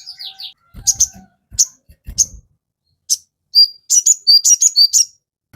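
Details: Sogon heard as a training lure for captive birds: scattered single high, piercing chips with pauses, then a quick run of alternating high chips and slightly lower whistled notes near the end.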